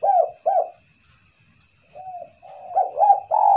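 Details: Two loud low coos from a spotted dove, a pause, then softer notes building into louder coos, a recording meant as a lure, with a faint hum.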